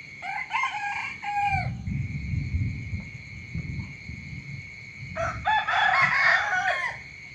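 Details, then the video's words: Two morning crows from a chicken separated by a pause, each a series of ringing harmonic syllables with falling ends; low rumbling noise between them and a steady high whine throughout. "เสียงไก่ขันตอนเช้า เสียงไก่ขันฟังต่อเนื่อง ชัด100%"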